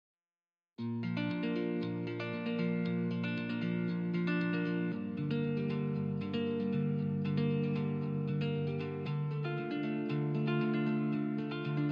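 Only plucked-string music plays throughout, with steady sustained chords and no bird or other animal voice.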